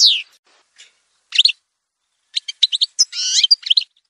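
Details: Algerian goldfinch (parva) song montage excerpt: a falling whistled note, then silence, a short twittered cluster and a final burst of quick chirps and buzzy notes.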